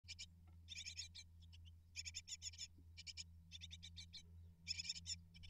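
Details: Great tit nestlings, eight in a nest, begging as parents deliver prey: bursts of rapid, high, harsh chittering in short clusters separated by brief pauses, over a steady low hum.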